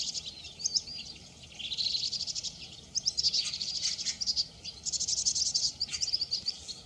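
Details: A pair of vinous-throated parrotbills in the mating season chatter in bursts of high, thin, rapid twittering notes, almost without pause, with a faint hiss of background noise.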